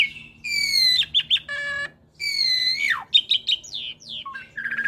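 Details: Asian pied starling × Nias hill myna hybrid in a cage, recorded for training other birds: rich harmonic descending whistles, a buzzy low note, a second long falling whistle, then brief chirps and twitters.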